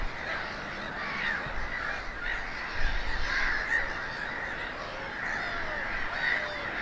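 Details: Black-headed gulls on eggs at their nesting colony, RSPB Snettisham, Norfolk, England, 8 May 2018 at 5:14 pm; rapid, irregular harsh calls from many birds merge into a continuous squawking wall of sound.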